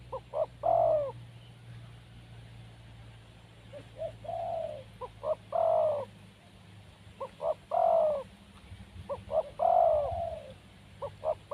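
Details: Wild spotted dove repeating its call about five times: brief paired notes rising into a long, full, gently falling coo, with a low background drone.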